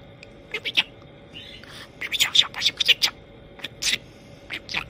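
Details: A pet budgerigar talking, becoming increasingly "glitchy" and head-shaking as it chatters in quick, high, scratchy bursts with a brief buzzy rasp.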